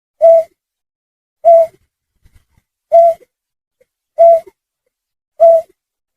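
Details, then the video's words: Snipe call recorded as a lure for hunting: five short, hollow, evenly pitched hooting notes spaced roughly 1.2 seconds apart, clean and free of other sounds. "Suara Pikat Burung Trinil Sawah_Burcet_Snipe"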